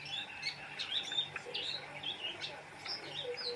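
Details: Oriental white-eye in lively full song: rapid high chirps and short whistled notes tumbling together in a busy, continuous twitter, with a steady low hum underneath.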